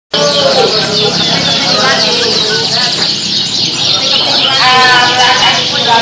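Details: Small-bodied contest canary with a long song, singing at a bird contest: a long, rolling song of fast trills and warbled phrases, with other canaries singing alongside and people talking in the background.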